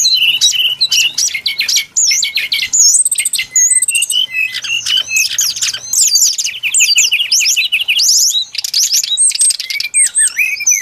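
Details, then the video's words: Brown-chested jungle flycatcher used as a lure recording for bird trapping: a dense, continuous run of high, varied whistles, sweeping slurs and rapid chirps. The phrases tumble together with almost no pauses, all pitched high and bright, with a faint low hum underneath. "Suara pikat burung sikatan SRDC Sikatan rimba dada coklat"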